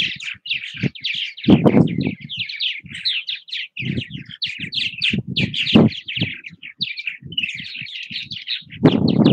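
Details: A loud, nonstop chorus of purple martins at nest houses in Southwest Missouri: rapid overlapping chirps, croaks and gurgles with repeated low thuds of wind or handling noise.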